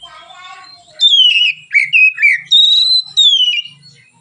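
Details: Oriental magpie-robin singing relaxed, open phrases, used as a lure to train other birds: loud, clear whistles sliding downward, short slurred notes, and long level high whistles, after a soft lower murmur.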